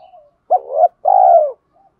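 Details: Low two-part coo of a spotted dove, from a recording used to rouse trained doves into calling: a quick, rising opening note, a pause, then one long, even coo that fades at its end.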